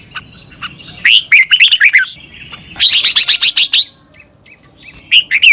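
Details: Caged Red-whiskered bulbul training recording from Thailand: a warbled whistled phrase, then a fast stuttered run of sharp repeated notes, then the start of another phrase, with faint chips in the gaps.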